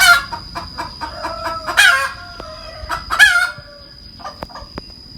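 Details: Cackling hen gives quick choppy clucks that build into two loud, drawn-out squawking notes. A few softer clucks trail off after them, over a constant thin high whine.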